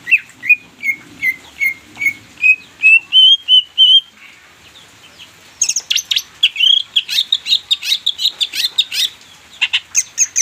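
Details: Green leafbird (cucak ijo) song used as a lure to stimulate silent birds into singing: a run of clear whistled notes that rise in pitch, a pause, then a fast burst of sharp chirps and trills.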